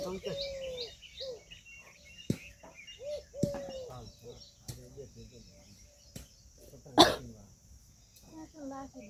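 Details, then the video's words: Indian peafowl giving a series of short, arched, honking notes repeated at irregular intervals, with faint bird chirps, occasional sharp clicks and a loud knock partway through. "Peahen bird the Indian peacock/most clear sound"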